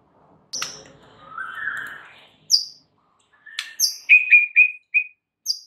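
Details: White-rumped shama song used to train caged shamas: a sharp high note and a drawn-out whistle, then a pause and a quick series of short clear whistled notes, with crisp high squeaks between them.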